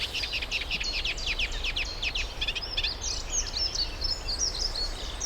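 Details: Reed warbler, an April-to-October visitor from Africa, at Middle Street Meadow reserve in the UK; a run of scratchy downslurred notes followed by higher twittering and clicking chatter, steady and unbroken, with faint background noise.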